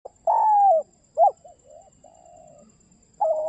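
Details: Spotted dove calling its companion: low, hoarse cooing notes, a drawn-out coo followed by short soft coos and a long quiet hum, then another coo starting, with a faint steady high whine behind.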